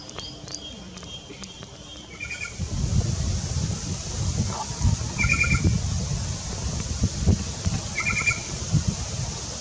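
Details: Black-chested jay in Colombia giving a short, bright two-toned call three times, roughly every three seconds, over a steady low rumble of background noise.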